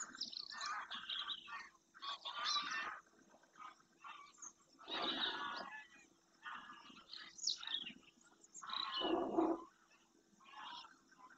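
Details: Numerous greylag geese flying in formation over the Doñana marsh in Spain at first light, coming in to land at the lagoon. Harsh, overlapping honking in dense clusters about every two seconds, some deeper, some higher and strained.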